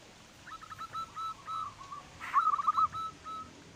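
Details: Local zebra dove kept as a lure for getting other doves to sing; soft series of rapid coos, then a louder rolling phrase of quick notes, with a brief rustling noise.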